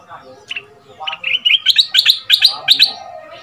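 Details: Decoy red-whiskered bulbul from southern Thailand, two months in the cage, in a fierce 'sai boen' style for young birds to copy. Quick bright whistles, then a rhythmic string of loud sharp notes about four per second.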